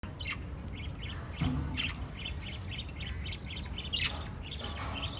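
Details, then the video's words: Lovebirds, five kept together as pets, giving repeated harsh, buzzy chirps and squawks in scattered bursts over a steady low hum. "Five Little LOVE Birds Chirping Sound"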